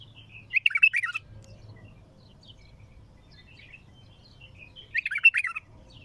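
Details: Raw, strong bulbul song with a heavy throat: two loud bursts of fast, tumbling chirps about four seconds apart, with sparse, faint, high twittering notes between them and a quiet low hum.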